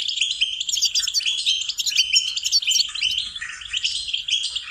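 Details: Goldfinch song used as a singing lesson for training songbirds: a continuous, high, tinkling twitter of rapid chirps and short trills, with liquid notes running without pause across the whole stretch.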